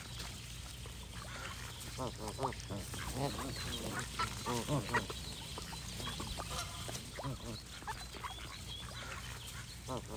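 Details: Geese giving repeated honks, busiest in the middle, with many overlapping short nasal calls; the flock then quietens, leaving faint calls over low background noise.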